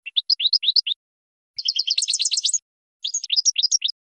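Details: European goldfinch, a champion singer, in a recording used for training birds to sing: three bursts of quick, rising, tinkling twitter notes, the middle one denser and buzzier with higher notes, on a silent background.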